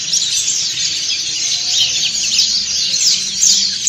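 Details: Collective ngriwik song of dakun and montanus white-eyes; a constant high-pitched twittering mass with a few sharper squeaky notes rising out near the end.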